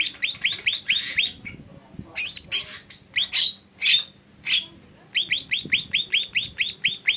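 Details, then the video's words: Lesser green leafbird song of rhythmic, rapidly repeated rising chirps, broken by a few louder, longer buzzy notes in the middle, over a faint background hum. "Suara burung cucak ijo mini"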